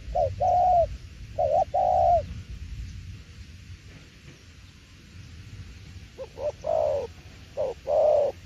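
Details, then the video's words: Spotted dove in "tiểu liên nước" style: two paired low coos at the start, a long quiet stretch, then several more hollow coos near the end. "Đồng tiểu liên nước chơi quá hay luôn ae ơi"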